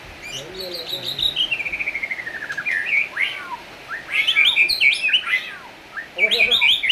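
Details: Black-tailed white-rumped shama in full song, used as a lure to set other shamas singing: a long descending trill of clear whistled notes, then varied sweeping whistles and rapid high chattering phrases.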